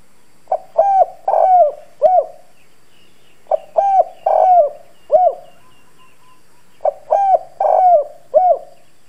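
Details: Decoy spotted dove cooing in the hoarse 'đồng' voice style to excite wild doves. Three repeated phrases of short and drawn-out raspy low coos, roughly every three seconds, with faint chirps of other birds between them.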